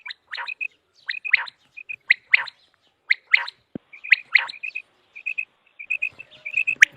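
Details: Common quail, for quail hunting: a steady series of bright three-note calls about once a second, with soft chirping notes filling the gaps between them.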